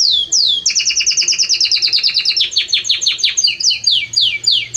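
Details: Loud, warm Belgian canary song: two long downslurred whistles open into a rapid rolling trill of paired notes, then a run of faster falling notes and a few slower sweeping whistles.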